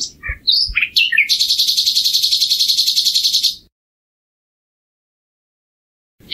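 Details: A common nightingale opens with a few whistles and slurred notes, then a long, fast, buzzy high trill of rapidly pulsed notes lasting over two seconds, followed by silence.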